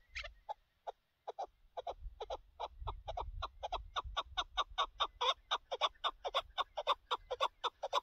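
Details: A partridge hunt's chukar partridge delivers a long accelerating chain of short, dry chuk notes, starting sparse and building into a rapid rhythmic chatter, with low rumbling noise in the middle.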